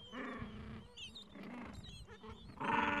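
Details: Gentoo penguins calling at the edge of a breeding colony in the Falkland Islands on a mild afternoon, adults tending nests and two-to-three-week-old chicks; harsh braying calls with harmonic bands, mixed with high thin chick peeps and overlapping colony chatter.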